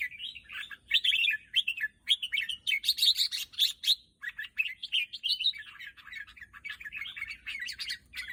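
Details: Continuous song of a red-whiskered bulbul: loud, bubbling, chattering warbles repeated in quick succession almost without pause, clear against a quiet background.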